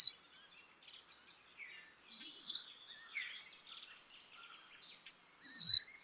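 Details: Black-capped chickadee singing two separate high, steady whistled phrases a few seconds apart over a background of soft twittering and chips from other small birds.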